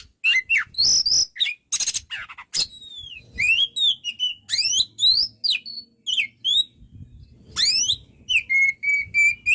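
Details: Oriental magpie-robin singing very vigorously, used as a training recording: loud, varied whistled phrases, sharp rising and falling slurs, interspersed with harsh rasping bursts and a long steady whistled note near the end.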